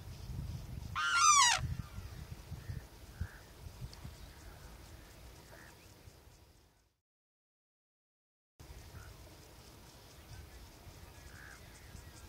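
A Sarus crane gives one loud, harsh trumpeting call, falling in pitch over half a second, then low rumbling background noise with a brief silent break.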